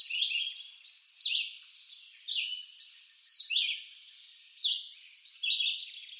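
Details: Red-eyed vireo in eastern North American woods delivers short robin-like whistled phrases about once per second, the notes swooping down then up, with soft continuous high hiss behind.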